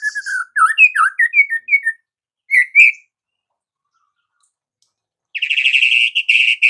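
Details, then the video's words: White-rumped shama singing rich, varied whistled phrases, swooping notes around the upper-middle pitch, then a pause and a fast buzzy, churring run of notes. "MURAI BATU GACOR"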